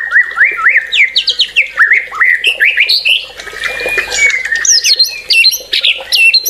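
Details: Excited white-rumped shama pouring out song: bouncy rising whistles repeated in quick succession, a scratchy chattering middle section, then high looping whistled phrases.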